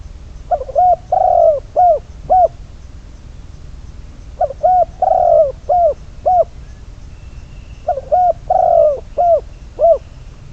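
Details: Decoy spotted dove used in trapping, bird number 22, repeating its cooing phrase three times about every three and a half seconds. Each phrase holds a quick pair of notes, a longer slurred coo, then two clipped coos. Faint background otherwise quiet.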